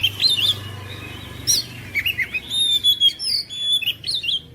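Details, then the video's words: Oriental magpie-robin singing: clear whistled notes around high pitch, some sliding and rising, broken by short harsh buzzy bursts, delivered in quick uneven phrases with a low steady hum beneath. "KICAUAN KACER"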